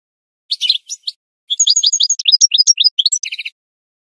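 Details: Goldfinch song with an opening cluster of chips, a pause, then a rhythmic series of sharp rising tweets and ringing notes, closing in a quick buzzy trill.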